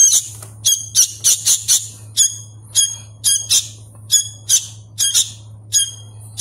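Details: Young sooty-headed bulbul, hand-fed and still learning to call, opens with a fast cluster of rough squawks, then gives evenly spaced paired rasps over a noticeable low hum.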